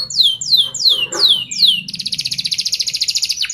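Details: Singing canary used as a tutor for young birds learning to sing: five loud downslurred whistles repeated about every third of a second, then a rapid, even buzzing roll of pulses to the end.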